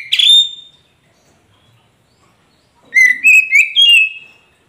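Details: Oriental magpie-robin, kacer poci, song played to get a silent caged bird singing back; a short bright whistle opens, then after two seconds of quiet a series of rising, sweet whistled notes with quick chirpy overtones.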